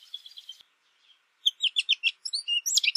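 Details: American goldfinch song: a faint thin twittering phrase, a pause, then a run of bright, clipped, high warbled notes, some buzzy, delivered rapidly and varying in pitch.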